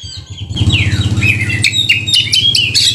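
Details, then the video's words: Oriental magpie-robin in active rolling song with high shooting notes, giving sweeping descending whistles and short sharp chirps over a steady pulsing low mechanical hum. "kacer gacor ngerol,nembak"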